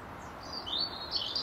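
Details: European robin, a local male singing from his usual branch in an apple tree during the final hour of daylight, defending his territory: short high, thin whistled phrases with quick trilled notes rising toward the end over steady background hiss.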